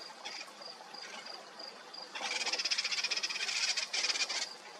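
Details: Eurasian penduline tit calling: a run of short, thin, high notes spaced evenly at first, then becoming a dense, rapid, slightly buzzy series of high tones for the last two seconds, over a faint outdoor background.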